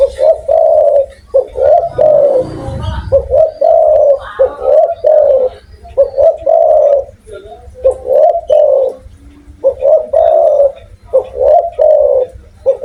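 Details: Persistently calling spotted dove with a big voice, repeating short mellow coos in quick bunches, roughly two to three per second, with a loud rustling burst early on and otherwise quiet surroundings.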